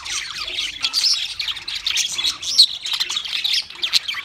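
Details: Budgies singing together: rapid twittering warble of chirps, short whistles and scratchy squawks, densely overlapping and fairly loud, with brief peaks of sharper notes and no other clear sounds.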